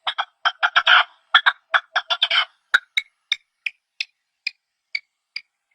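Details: Partridges calling in their natural habitat: a fast burst of harsh, clucking chirps for about two and a half seconds, then single sharper chirps spaced roughly every third of a second, slowing toward the end; background otherwise silent.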